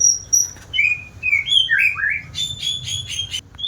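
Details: An eagerly singing white-rumped shama links high whistles into a fluid descending warble, then switches to a fast series of harsh, rattling notes before a final short whistle.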